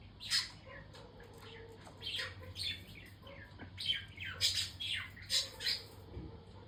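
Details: Budgerigars give rough, high squawks mixed with quick chirps in uneven clusters over a steady low background hum.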